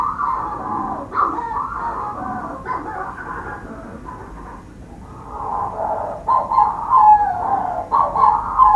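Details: Manx shearwater on Skomer Island, South Wales, calling from a burrow under the warden's house. Raucous, throaty cackles come in uneven bursts, a brief lull midway, then louder gasping crows building toward the end.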